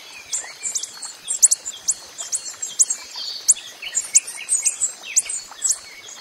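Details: Coppery-headed emerald hummingbird in the wild, giving very high, sharp chip notes about twice a second, with faint buzzy and twittering sounds between them.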